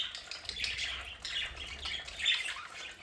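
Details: Household budgerigars in a play area give soft scratchy warbles and a brighter chirp near the end over faint background hiss.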